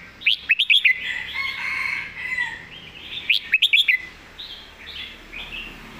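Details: Red-whiskered bulbul master song (phleng mae bot): busy, dense phrases of sharp, clipped whistles in quick groups, backed by a continuous mellow warbling that fills the gaps between bursts.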